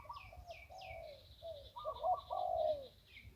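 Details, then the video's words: Zebra dove by the Ping River, Thailand, in the 'one kuk' singing style: rolling, vibrato coos in short phrases, the second phrase louder and longer, with thin high chirps from other birds above. "นกคูอ่างเจ้าเสน่ห์ริมปิง ได้นกโล่ง 1กุกขันเพราะๆ"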